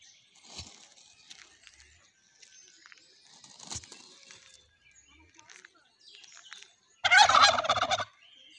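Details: Criollo turkeys dancing in the Mixes, Mexico; several seconds of faint clucks, rustling and soft background chirps, then an abrupt loud rattling gobble lasting about a second near the end.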